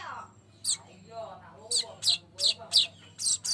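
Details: Energetic golden-headed weaver, a lure recording meant to spur other birds to sing: short, high, scratchy chirps repeated about three times a second in an uneven series, with soft low murmuring underneath at the start.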